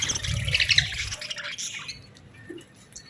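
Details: Budgerigar chicks beg for food. A burst of loud rasping, rapid chirps lasts about two seconds, then fades into quiet scattered squeaks.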